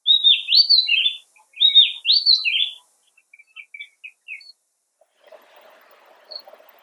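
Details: Oriental magpie-robin giving two loud, slurred whistled phrases, each made of rising and falling notes. Scattered soft chips follow, then a faint low rustling murmur.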